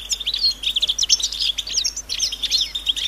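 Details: European goldfinches giving collective twitters in nature, mating and readiness calls that prompt males to sing: rapid liquid chirps and tinkling trills in quick bursts, overlapping voices, clean background.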